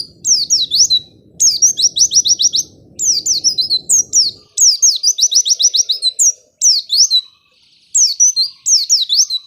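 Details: White-eye song played to coax reluctant white-eyes into singing: dense runs of high, quick chirping notes in repeated phrases, with a faint low rumbling hum beneath during the first half.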